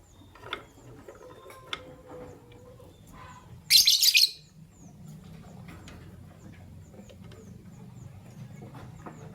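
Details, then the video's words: Fischer's lovebirds, a white albino and a pastel green, chirping in the morning: a single loud, harsh, rasping screech about half a second long stands out over a quiet background with faint scattered ticks. "Lovebird Chirping Sounds - White Albino with Pastel Green Fischer's"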